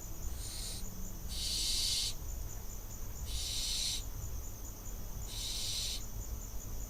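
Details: Young barn owl fledgling filmed by a nest camera in Israel, June 2021; three loud rasping hisses, each under a second, spaced roughly two seconds apart, with a constant thin high tone and background rumble.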